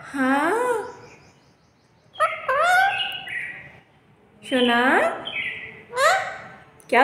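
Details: Pet parrot talking with its owner: rich, speech-like voiced phrases in four separate bursts, some rising and others falling, with quiet pauses between them.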